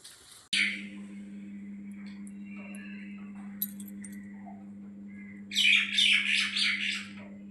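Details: Around five o'clock, small birds chirp in quick, high bursts that are loudest near the end, over a steady low electrical hum; a beetle was seen nearby. Finding: bird.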